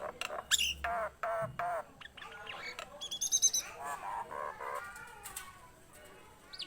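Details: Nias hill myna singing actively, with a few loud squawks and harsh notes followed by softer chattering, a high twittering passage and scattered whistles.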